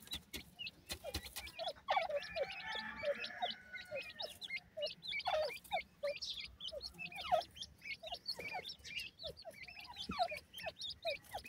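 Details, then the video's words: Grey francolin pair with their chicks: a continuous stream of short, high, falling peeps from the young birds, quickly repeated and overlapping, with soft rustling and scuffling underneath. "wonderful grey francolin birds chicks,dakhni teetar pair and babies"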